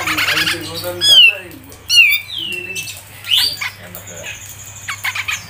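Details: Grey-cheeked bulbul (cucak jenggot) in a training recording for songbird keepers, song styles mbeset and ngepik: loud clear whistles slurring downward, separated by pauses, with a scratchy chatter before them and a squawky note after.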